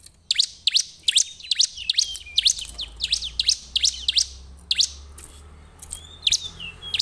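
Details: Bar-winged prinia chirping as a lure to get other birds singing: a quick string of sharp, high chirps that slows into more widely spaced notes, with a soft low rumble behind.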